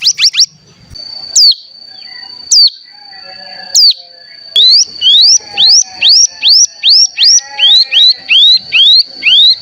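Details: Cigun (mountain tailorbird) lure to make birds sing: a few spaced downswept notes over a steady high whine, then a regular series of quick rising chirps, about two per second, with softer fainter chirps behind.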